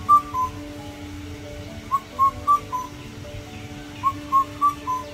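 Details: Indian cuckoo (Cuculus micropterus) repeats its four-note whistled song phrase about every two seconds, the last note dropping slightly, over a steady low background hum.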